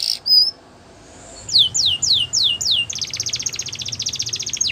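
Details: Border canary singing a training song for young canaries: a brief high whistled note, a pause, then falling sweeps repeated about every third of a second, ending in a fast buzzy trill.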